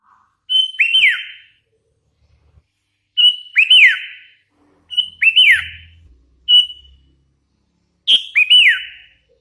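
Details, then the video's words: Sooty-headed bulbul, a hand-raised (lolohan) bird, singing lively phrases: a bright whistled note followed by quick rising-then-falling slurred whistles, repeated five times with pauses of one to two seconds; faint low hum in the background. "Suara ASLI kutilang LOLOHAN GACOR"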